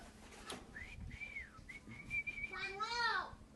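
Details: Common hill myna, a talking bird that imitates coughing and speech, gives a series of clear whistled notes that rise and fall, then a loud, rich, harmonic arching call, with a faint low hum underneath.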